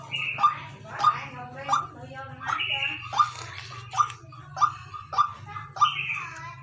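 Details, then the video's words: Calling white-breasted waterhen used as a decoy: about ten clipped, nasal mid-pitched notes at a quick regular beat, interleaved with higher buzzy drawn notes, under a continuous low hum. "Tiếng quốc mồi kêu"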